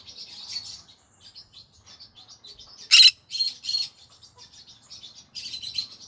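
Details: In the evening a pet green-cheeked conure chatters in soft, raspy high chirps, breaks into one sharp loud screech about halfway, then continues with buzzy bursts and steady scratchy chattering.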